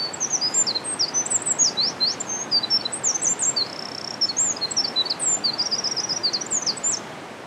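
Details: Eurasian wren singing in a valley on 17 March 2020, the first song of that year recorded there: a long, rapid, unbroken run of very high, sharp trills and twittering notes lasting over seven seconds, over a steady broadband background rush.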